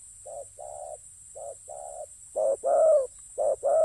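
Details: Spotted dove used as a decoy in ground trapping, cooing in paired notes, a short low coo followed by a longer wavering one, softer pairs at first, then louder closer pairs, about one pair each second.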